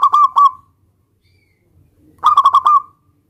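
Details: Local zebra dove calling out a rival to provoke an immediate reply, delivering two brief bursts of rapid, rich, stuttered cooing notes separated by a silent gap.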